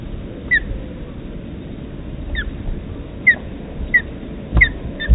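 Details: Osprey at the Dyfi Osprey Project nest during a feeding, 23 June 2020: short, high, downslurred whistled chirps given irregularly about once a second over a low, steady rumble of wind and background noise.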